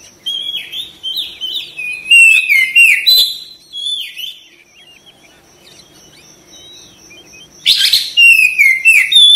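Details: Oriental magpie-robin, gacor singing: strings of quick downward-sweeping whistles and chattery notes, a long quiet gap with a steady high whine, then another loud burst of whistled phrases.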